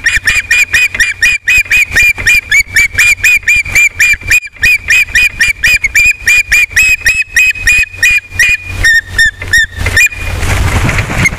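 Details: Osprey pair at a nest camera in Captiva during their first mating of the day, 12 December 2021: sharp, whistled chirps repeated about four times a second, slightly wavering in pitch, over a steady low hum, ending in a rush of noise.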